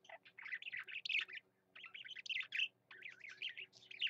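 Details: Singing male parakeet, an eager, steady warble of rapid chirps and grating chatter in three dense phrases with short breaks.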